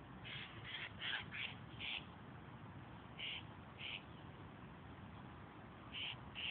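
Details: Famished Eurasian jays give rough, grating screeches, first in a rapid cluster of four or five and then in scattered single rasps, against a faint, constant murmur.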